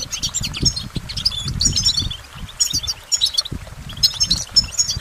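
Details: Bright goldfinch twittering: quick bursts of tinkling, buzzy notes and short trills in clustered phrases separated by brief pauses, over soft low knocking sounds.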